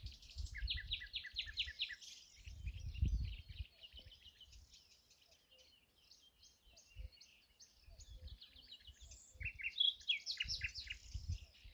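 A songbird delivers rapid trills of short, bright notes, mostly high-pitched and dropping in quick series, with low rumbling background noise throughout.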